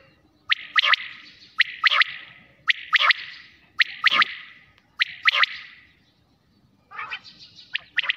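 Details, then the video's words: Quail heard at night delivering a steady run of loud three-note phrases, each roughly a second apart, with a burst of rougher chirps at the close. "2023 batair Bulara"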